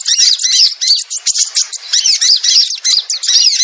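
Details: Sogon calls played as a lure for wild birds: busy stream of harsh, buzzy chattering notes and rapid squawks, high-pitched, in short bursts separated by brief gaps, like a flock calling excitedly.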